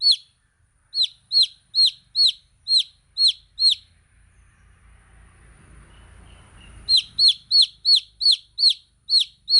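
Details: Baby chickens peeping: shrill, high notes that slide downward, seven in a quick run, then a pause filled with a low rumble, then nine more peeps in steady succession.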